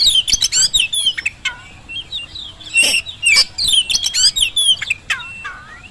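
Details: Oriental magpie-robin singing a lure song meant to spur lazy birds into answering: a rich run of varied whistles, slurred notes and sharp chirps, high-pitched and lively, with a short pause midway before the phrases resume.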